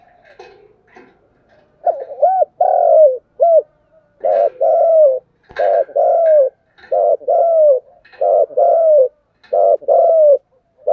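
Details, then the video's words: ['Spotted dove in continuous thúc gù cooing, a long run of low mellow coos in short and long pairs, roughly every second, with some faint rustling between phrases.'] "cu gáy thúc gù/ Cu gu lien tuc"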